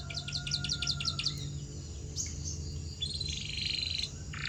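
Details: Canary song played as a training sound to make canaries sing: a run of quick repeated high chirping notes, then a smoother warbled phrase and a bright trill, over a steady low hum.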